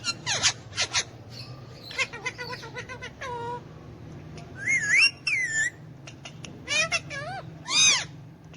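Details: Pet Alexandrine parakeet, hand-tame and kept with ringneck parakeets, speaking Urdu/Hindi: clipped, speech-like syllables, falling whistled notes, wavering high whistles and a bright closing squawk, all over a constant low background hum.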